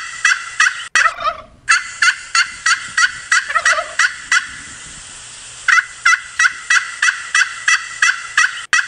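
Turkey gobbling in rapid rattling bursts, about three per second, with a brief lower call mixed in and a short pause midway.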